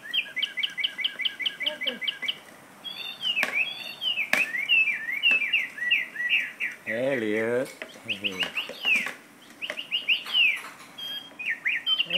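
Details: A parrot in a cage sings, opening with a fast, evenly spaced series of chirps, then shifting to varied swooping whistles and a brief lower warbling phrase, with occasional sharp clicks.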